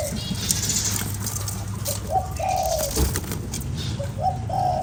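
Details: Spotted dove cooing to excite a lure bird: two phrases, each a quick short coo leading into a longer, slightly wavering hollow note, set against low hum and light tapping.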